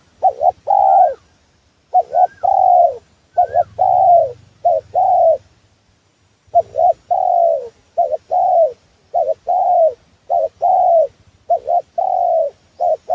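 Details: Trapping lure call of a spotted dove (tekukur): long run of mellow cooing phrases, each a clipped double note leading into a sustained falling coo, steady apart from one pause midway; faint thin rising whistles early on.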